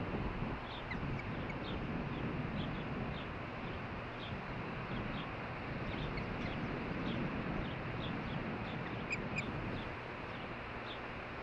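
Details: Osprey pair calling to each other at their nest in Hellgate Canyon, Missoula, Montana, on June 14, 2015: a steady series of short, high chirps repeated several times a second, partly buried under strong wind noise.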